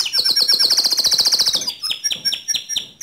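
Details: Energetic white canary song: a rapid high rattling trill for about one and a half seconds, followed by spaced sharp chirps repeated roughly every third of a second.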